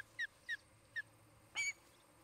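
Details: Nesting osprey couple near Charlo, Montana, picked up by a nest cam on an August 2018 afternoon: three clear down-slurred whistled notes about a quarter-second apart, then a pause and a louder, harsher, longer squeal.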